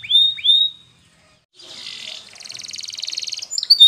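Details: Spanish Timbrado canary training song: two rising whistled notes, a pause, then a soft buzzy trill that speeds into a fast, pulsing rattle before a final sharp chirp.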